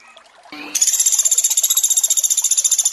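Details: Sunda pygmy woodpecker recorded for training sogon, over flowing water: after soft water noise and a brief low note, a sustained rapid trill of high, harmonic-rich pulses starts and runs steadily to the end.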